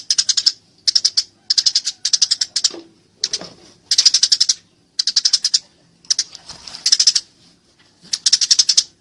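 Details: Fighting Eurasian tree sparrow giving short bursts of quick, bright chirps, several notes per burst, separated by brief gaps, with a couple of faint low knocks in the background.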